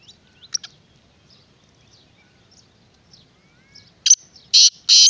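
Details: Black francolin (kala teetar) starting its harsh rasping call near the end, clipped first note then long buzzy notes, after scattered faint chirps and thin whistles from other small birds.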